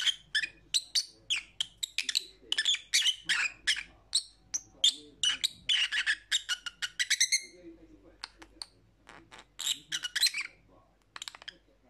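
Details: Lovebird calls meant for lonely pet parrots: a dense run of shrill, sharp chirps and short squawks, rapidly repeated in bursts with brief pauses, a few rising notes near the end.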